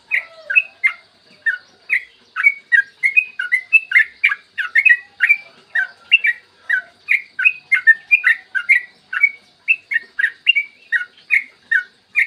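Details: A long-rolling lure song from a yellow-vented bulbul, meant to set other bulbuls singing: an unbroken stream of quick, gurgling, slurred notes, each short and liquid, pouring out steadily for twelve seconds.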